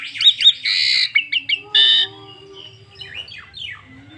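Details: Asian pied starling song, meant to lure other starlings into singing: loud bright whistles and two buzzy harsh notes, then softer descending slurred whistles trailing off over a faint low hum.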